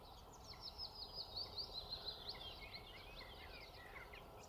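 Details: Little grebe adult with two young to feed at Dunfermline, Fife, on 2 June 2020, giving a rapid high twittering series that fades, against low steady noise.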